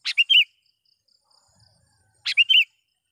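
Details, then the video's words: Sooty-headed bulbul calling a rival: two phrases about two seconds apart, each opening with a click and quick chip, ending in a liquid bubbling warble. "suara BURUNG KUTILANG gacor memanggil lawan"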